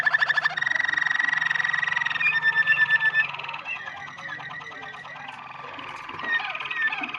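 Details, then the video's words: Yellow Waterslager canary singing a long, rapid, pulsing trill that gradually softens into a murmuring, gurgling roll, with a low hum beneath. "yellow watersalger singing nicely غناء کنری الأصفر بشكل جيد"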